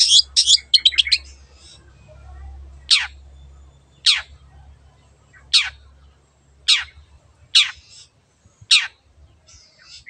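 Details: Long-tailed shrike recorded as a lure for getting birds to sing: an opening burst of rapid high twittering, then a series of harsh, raspy downslurred screeches repeated roughly every 1.2 seconds over a low hum.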